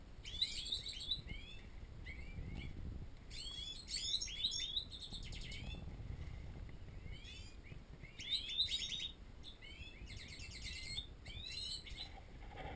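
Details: Captive European goldfinches in an aviary, singing in bright, tinkling bursts of rapid twittering and liquid trills.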